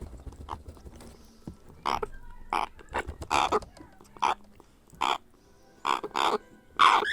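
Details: Grey parrot hatchling begging while being hand-fed: short, harsh, broadband squawks with a nasal tone, given singly or in pairs at uneven gaps, with quiet stretches between the bursts.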